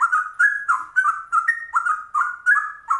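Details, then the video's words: Straw-headed bulbul in trucuk ropel song, pouring out fast, mellow gurgling notes that slur upward and drop back, about a dozen tightly packed phrases in three seconds, nothing else audible. "Trucuk langka ropelannya cucak rowo"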